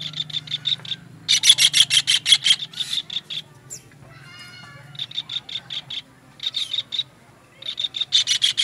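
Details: Kingfisher, from a master recording for training songbirds: bursts of sharp, evenly spaced high notes, about three per second, stopping and starting in runs of several notes with short quiet gaps and faint low hum.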